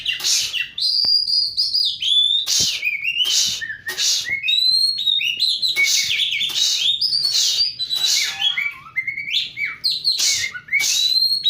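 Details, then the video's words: Oriental magpie-robin in full, steady song, played as a lure for a magpie-robin that has gone quiet; rich mix of piercing whistles, downward slurs and harsh grating bursts, repeated in rapid phrases throughout. "Burung kacer Gacor | 1000% ampuh buat pancingan burung kacer macet"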